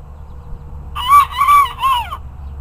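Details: Bantam rooster giving a crow of three joined syllables, each an arching harmonic note, the last one falling away, lasting just over a second against a quiet low hum.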